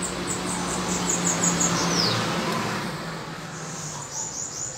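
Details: Bananaquit in a singing duel: thin, very high, buzzy notes run in a fast series for about two seconds, ending in a downward slur, then resume briefly near the end over a steady low hum.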